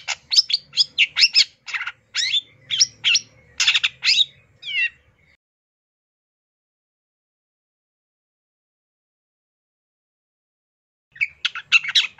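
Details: Long-tailed shrike singing a rich, filled-out song: about five seconds of dense, fast, scratchy chirps and whistles, then a long silence, then another burst of rapid notes.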